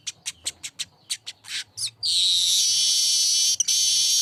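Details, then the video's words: Streaked weaver song opening with rapid, evenly spaced dry ticks, roughly eight in a row, then a long harsh sizzling buzz that runs over two seconds with one short break. "Masteran burung Manyar ✓selalu gacor"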